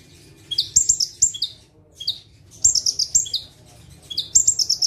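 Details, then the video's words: Bar-winged prinia, called ciblek locally, perched in one place and firing off gacor song: three fast bursts of high, glittering chirps trailing into lower slurred notes, divided by short silences. "KONIN GACOR FULL TEMBAKAN - CIBLEK / PRENJAK TEBU - SATU TITIK SAMBIL DUDUK MANIS"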